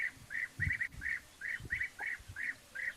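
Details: European bee-eaters, plentiful at the time, give short, rolling, liquid 'prruip' notes about three a second, sometimes overlapping, over low rumbling thumps, in African bush in November.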